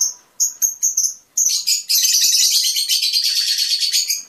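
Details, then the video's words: Fischer's lovebird song for stimulating mating: a quick series of short, shrill chirps speeding up into a dense, continuous high twittering chatter. "أجمل تغريد لطيور الفيشر"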